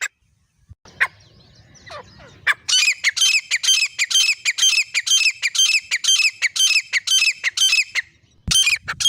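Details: Grey francolin pair calling, a sound hunters favour: after a few faint knocks and low rumbling, a fast run of harsh, ringing notes repeats about twice a second for several seconds, then stops.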